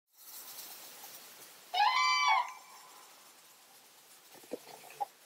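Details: Common crane in a moor near Hannover, Germany, disturbed by the recordist's approach, giving one loud, rolling, trumpet-like call under a second long; faint hiss underneath, a few soft clicks near the end.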